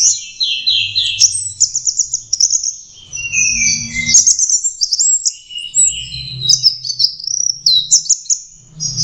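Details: Orange-headed thrush, a young bird learning to sing, pouring out rapid, varied high twittering and whistled phrases with quick trills and jumps in pitch, some low rumbling noise underneath.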